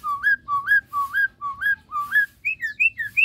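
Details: Caged Javan myna with white eyes, bathing and in full voice: a loud, clear whistled two-part phrase, rising at its end, repeated about every half second, then shifting to higher, quicker whistled slurs.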